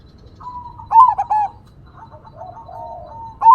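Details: Crossbred zebra dove singing loudly in the engkel vocal style. A soft introductory note leads into a sharp stuttering burst of coos, then a low purring trill, and a strong note begins again at the end.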